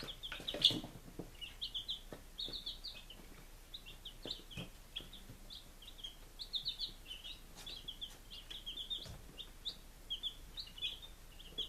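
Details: Baby chickens aged five days, Lunenburg, Massachusetts, 2017, keep up a continuous high peeping, many short chirps overlapping, with occasional knocks and a louder thump early on.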